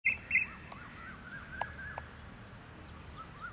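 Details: Tawny pipit in Goa, 2014, giving two quick, sparrow-like chirping notes at the start, with faint, softer whistled notes from other birds behind.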